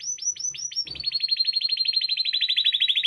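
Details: Spanish timbrado canary song for teaching young birds: a few clear descending whistled notes, then a fast, steady rolling trill of rapid repeated pulses that carries on to the end.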